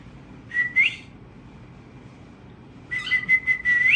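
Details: Family of tamed pet cockatiels singing: a brief upswept whistle, a pause, then a long steady whistle held level before flicking upward, accompanied by rough buzzy chirps.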